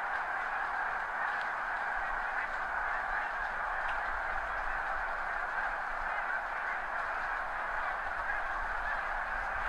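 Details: Spring gathering of thousands of snow geese on fields downhill by the seaway, high tide, heard from a backyard through a Nikon D7000 and Azden SMX-10; a steady, dense chorus of far-off honking with no breaks.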